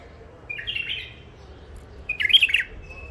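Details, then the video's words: Wild-caught bulbuls, newly caged after trapping near Mandali, give two short, bubbly warbled phrases about one and a half seconds apart, the second richer and more rapid, over a faint low hum. "بلابل وحشيات خامات كاع منفذ مندلي لسانات روعه"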